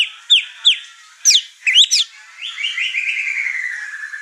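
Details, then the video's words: Over-excited white-rumped shama unloading its repertoire among other household birds: clear whistled notes, two sharp downslurs, a doubled phrase, then a long, slowly falling warbled trill. "Murai Batu Over Emosi Bongkar materi"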